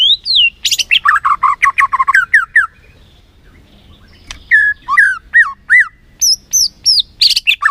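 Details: Lure song of a white-rumped shama, meant to excite a sluggish bird into singing: a fast run of repeated chirps, a quiet gap, then loud downslurred whistles and high piercing notes repeated at a steady pace.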